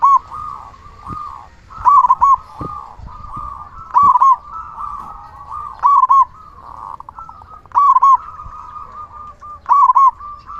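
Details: Loud-voiced local zebra dove singing freely, a recording meant to lure and stimulate other zebra doves. Crisp rolling coo phrases recur roughly every two seconds, six in all, with a continuous soft trilling hum between them.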